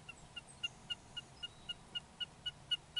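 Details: Wilson's snipe in Rosedale, Alberta, Canada, giving a steady run of short, sharp, clipped notes, about four each second, evenly spaced and of even pitch, over a quiet low background hum.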